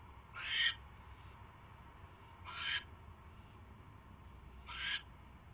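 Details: Owl getting a mouse, 28 January 2016 at 10:21 PM: three short, scratchy hiss-like calls about two seconds apart, fairly soft, over steady low hum and background noise.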